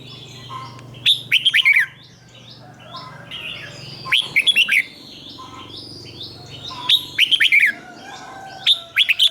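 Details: Red-whiskered bulbul kept as a cage bird sings the doubled 'riik' song for young birds to learn from. Four short, lively phrases of looping whistled notes repeat every two to three seconds over a low hum and distant chirps.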